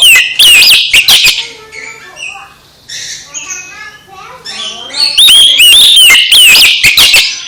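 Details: Oriental magpie-robin singing to stimulate a silent, sulking magpie-robin into energetic song. Loud slurred whistles open and close the recording. Softer warbling chatter from other birds fills the middle.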